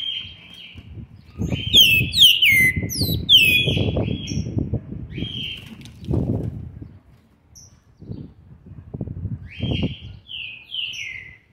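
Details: Young green-winged saltator, seven months and 20 days old, recorded 13 November 2020, singing short whistled phrases of bright slurred notes falling in pitch, delivered in bursts separated by pauses, over steady low thumping and rustling noise.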